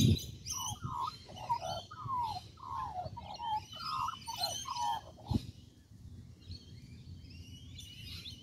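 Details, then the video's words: Australian magpie perched on a tree in Kings Park, Perth, Western Australia, giving a quick run of rich, gurgling, fluted warbles for about five seconds before falling silent; thin high chirps of other small birds above and one sharp knock. "Australian magpie on tree in Kings Park in Perth"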